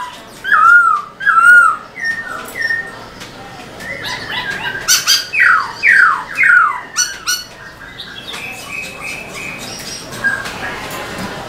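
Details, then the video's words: Black-throated laughingthrush, a cage bird, singing hard while tail-dancing: a few looping whistles, then harsh squawks and sharp downslurred notes in a rapid series, fading into softer level whistles. "Khướu bạc má HÓT MÚA ĐUÔI cực sung"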